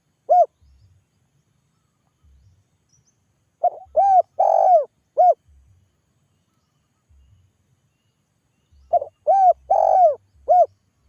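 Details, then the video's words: A spotted dove calls loudly so that others answer. Soft hollow coos come in grouped phrases, each a short note, a longer swelling coo and a clipped final note, with several seconds of near silence between groups. "TEKUKUR GACOR SUARA PANGGIL"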